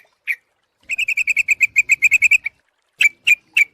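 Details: Sooty-headed bulbul lure call, used to attract birds: a single harsh note, then a fast chattering run of about fifteen even, clipped notes lasting about a second and a half, then three spaced, sharper notes.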